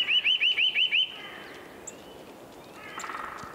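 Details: Eurasian nuthatch singing while building its nest: a quick series of six clear, rising whistled notes in about one second, followed by fainter drawn-out whistles and a softer trill from another bird against quiet outdoor background noise.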